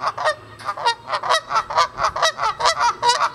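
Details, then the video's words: Canada geese, several pairs living at a pond, honking as they fly off: a rapid run of loud, nasal two-part honks, about a dozen in three seconds, overlapping at a steady brisk rhythm. "Canada Geese Honking & Flying Off"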